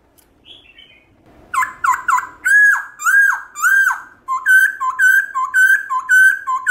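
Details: Black-throated laughingthrush giving its wild-style song, meant to excite caged birds into singing: a faint squeak, then rich slurred whistles that speed up into a rapid string of about a dozen short, bright repeated notes.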